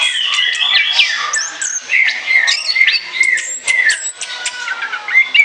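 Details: Orange-headed thrush sings as a lure: whistled phrases around a steady middle pitch, broken by high squeaks, with clear gaps between louder bursts of slurred, warbling notes.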